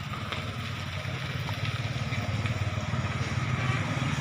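A motorcycle engine idles outdoors with a steady low throbbing pulse, while faint voices murmur in the background.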